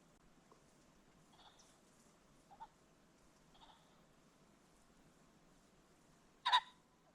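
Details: Ring-necked pheasant at a creek bottom at sunset giving a single short, loud, harsh burst near the end, preceded by a few faint soft notes over quiet background hiss.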